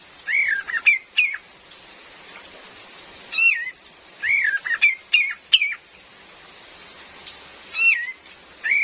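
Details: Cream-vented bulbul, a female, recorded as a lure call: scattered clusters of wavering, slurred whistles and short upward chirps with pauses between groups, set against a continuous hiss of real rain.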